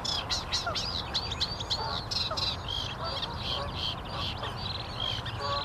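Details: Eurasian reed warbler singing: a chattering, jerky run of repeated scratchy and whistled notes, some doubled or tripled, with low background rumble.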